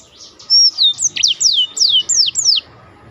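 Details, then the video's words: Black-throated canary, recorded as training material for contest birds, giving about seven clear high whistles that sweep downward in quick succession. "biar kecil suaranya mahal roll istimewah || masteran jos untuk burung lomba"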